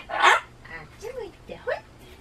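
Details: Captive Solomons cockatoo that screams at loud noises such as town broadcasts and election cars. A brief, loud, harsh screech opens, then softer warbling, arched vocal notes at lower volume.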